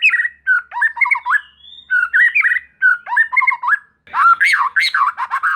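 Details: White-rumped shama lure song meant to stir emotion and fighting spirit so juvenile spotted shamas answer quickly: rich, varied phrases of chattering and warbled whistles, bursts separated by short pauses, ending in a louder looping whistled run.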